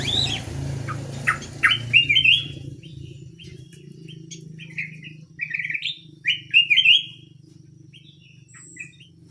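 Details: Canary singing vigorously: repeated bright upward-sweeping whistles and chirps in short bursts over a steady low humming background.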